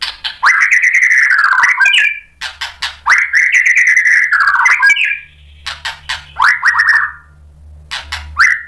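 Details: Long rich whistled phrases from a white-rumped shama provoked into answering a rival and showing its repertoire, each phrase rising and then wavering, separated by sharp clicks and short bursts, with a faint low hum in the background.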